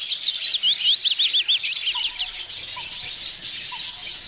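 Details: Budgies playing near their nests open with a fast burst of curling, warbled chirps, then settle into softer background chatter with a few low clicks.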